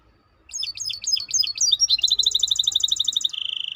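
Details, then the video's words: Maestro bird song opening with jerky, varied chirped phrases, speeding into a rapid high rolling trill and ending on a steady sustained note. "احلى تغريد مباشر لطائر المايسترو"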